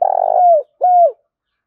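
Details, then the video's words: Decoy male spotted dove calling to provoke a rival, heard as the end of a phrase: a long burry rolling coo that slides down, then one clean downward-hooked coo. "Tiếng chim cu gay thúc bổi rất hăng và máu/ cu moi chuan kich"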